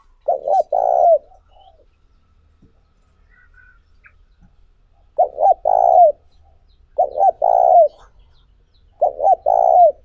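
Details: Spotted dove call for stimulating decoy birds: four deep cooing phrases, one early and three later after a long silence, each a short two-note coo leading into a drawn-out rolling croo.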